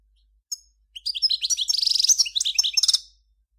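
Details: A lone chirp opens, then a Major European goldfinch, recorded in 2014, launches a rapid, liquid twitter that thickens into a fast buzzy trill of tightly packed notes before tapering off.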